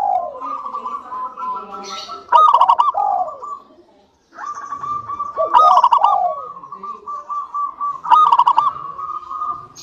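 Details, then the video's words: Zebra dove of a local Indonesian strain, singing often, played to prompt other doves to call: three long phrases of quick rattling coos ending in falling slurs, separated by short silences. "PANCINGAN PERKUTUT LOKAL SUPER GACOR UNTUK PANCINGAN PERKUTUT AGAR CEPAT BUNYI"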